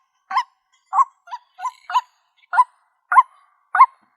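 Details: White-breasted waterhen (tikling or kalapini bird) uttering short, separate harsh croaks, eight notes in about four seconds with irregular gaps and silence between them.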